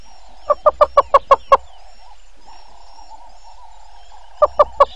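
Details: At a waterhole in Djuma Game Reserve, Sabi Sand Wildtuin, South Africa, early morning of 02/08/19, a Yellow-billed hornbill gives seven quick hollow clucks, falls silent for nearly three seconds, then adds three more clucks; faint background hum throughout.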